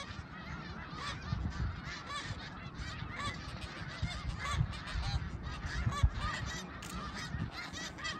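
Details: Snow geese at Middle Creek in 2022, a large flock giving a dense, continuous chorus of nasal, overlapping honks with no pause, plus a low rumble of wind or wingbeats underneath.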